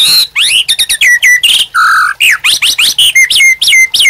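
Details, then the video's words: Rich, varied White-rumped shama song used to prompt and train other birds: quick rising and falling whistles, a low steady note, then repeated sharp notes with level whistled tails. "MURAI BATU GACOR UNTUK PANCINGAN DAN MASTERAN"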